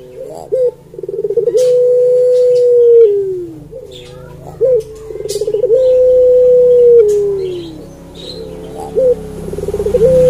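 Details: Melodious puter pelung song of a Barbary dove, two full phrases and the start of a third, each opening with a rapid rolling trill and stretching into a long low coo that sags downward at the end.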